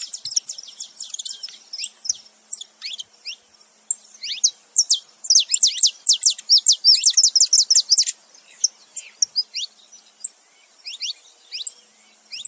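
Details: Saffron finch, a male and a female together, giving dense bursts of short, very high, thin chirps and twitters, rapid and irregular, busiest in the middle with a quick run of repeated notes, then sparser chirps toward the end.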